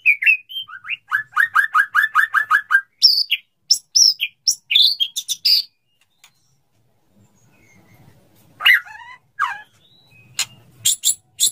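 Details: White-rumped shama male wooing a female, wanting to mate: evenly repeated chopped notes in a steady rhythm, then high varied chips, a quiet gap and scattered sharp calls.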